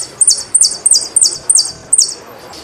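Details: Saffron finch song from a full recording made for song training: six sharp, high chirps with downward slurred tails, each about a third of a second apart, over a faint background hiss.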